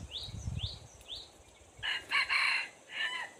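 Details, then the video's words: Decoy red junglefowl crowing to lure wild junglefowl: a raspy crow in three bursts lasting over a second. Three quick rising chirps from another bird come first, over faint low rumbling. "dib qaib qu tuaj zoo Kawg li ต่อไก่ป่าเข้าดีมาก"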